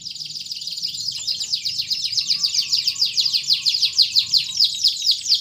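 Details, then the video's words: Canary song used to stimulate silent canaries: a steady rolling high trill with rhythmic pulses throughout, over faint low background noise. "PANCINGAN BURUNG KENARI GACOR ADA JEDA"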